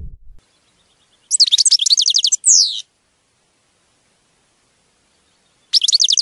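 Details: European goldfinch song in nature: a rapid volley of crisp, repeated chirps followed by a brief downslurred buzz, a long silence, then another quick chirping burst starting up.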